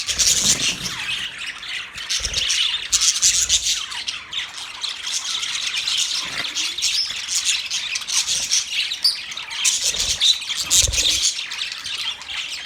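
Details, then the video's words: Australian parrot, a budgerigar, keeps up a long unbroken stream of high, raspy twitters and squawky chirps, busy and even in loudness, with occasional soft low knocks. "My beautiful Australian Parrot Bird Chirping sound"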